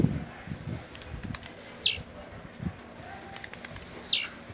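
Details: Caged blue-black grassquit from Jacarepaguá, Rio de Janeiro, Brazil, with its rojão song: high, buzzy notes sliding steeply downward, repeated about every two seconds, plus faint slurs and soft knocks.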